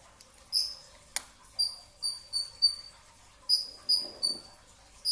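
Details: Brown-throated sunbird before dawn at sahur, giving clusters of three or four sharp high chips with short pauses, plus one sharp click near the start.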